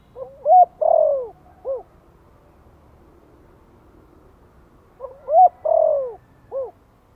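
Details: Spotted dove giving a gentle Thổ-voice lure call, meant to stir newly kept wild-caught doves into calling. Two low hooting coo phrases about five seconds apart, each a short note, a long swelling downslurred coo and a clipped final note.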